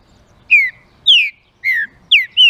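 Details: [['Green-winged saltator singing, a song intended to stir up other saltators: five pure, descending whistles in quick succession, the last held level, against near silence.']]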